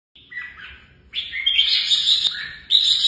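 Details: Red-whiskered bulbul song used for competitive singing training: a brief soft warble, then loud, bright, rapid chattering phrases with high whistled notes.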